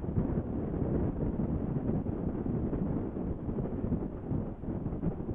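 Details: Steady wind rumble and low broadband noise at a saker falcon nest in Hungary in April, with no animal calls heard.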